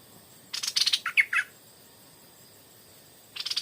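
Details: Stripe-throated bulbul lured in the evening by a decoy bird: a burst of bright chattering notes followed by three or four short, clear, slurred whistles, then another chattering burst at the end after a pause.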